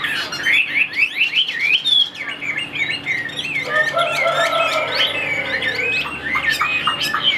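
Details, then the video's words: Caged Chinese hwamei singing a varied phrase: rapid rising whistled notes at first, then sliding, warbling tones and scratchy bits, loud and continuous, over a faint low hum. "Tốc độ mỏ quá ok, đầu mặt đẹp chất giọng cực kỳ hay | Họat Họa Mi"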